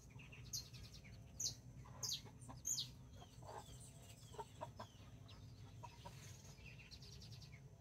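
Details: Two mother hens and nine backyard chicks, mini and Brahma, in Colombia on 24 October 2024; four sharp high chick peeps in the first three seconds, then faint scattered clucks over a low background hum.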